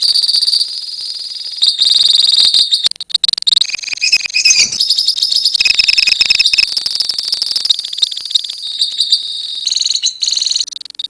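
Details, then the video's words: Several lovebirds from a colony in long ngekek song: overlapping high, fast-pulsed trills and chatters run almost nonstop for eleven seconds, with a few brief breaks. "KICAU LOVEBIRD KOLONI INI TERBUKTI HANYA BUTUH WAKTU 4 MENIT SAJA LANGSUNG NGEKEK"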